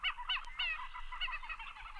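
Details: A Common Gallinule recording played back gives harsh, nasal, chicken-like clucks and squawks, several in quick succession over two seconds, with a faint background hiss.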